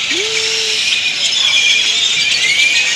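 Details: Many great-tailed grackles making a racket before sleeping in Indian laurel trees in Granada, Nicaragua; constant shrill squeaking and whistling, with one lower drawn-out rising whistle near the start.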